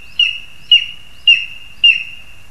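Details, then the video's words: Lesser spotted eagles, parents delivering food to their chick, 2 August 2020: four sharp, high yelping notes about half a second apart over a faint steady high tone. "Mazais ērglis (Clanga pomarina)- Orliki Krzykliwe - Rodzice dostarczają młodemu pokarm"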